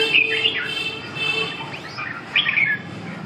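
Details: Red-whiskered bulbul song in two bursts of bright, liquid whistled notes, one at the start and one after a pause of nearly two seconds, over faint low background noise.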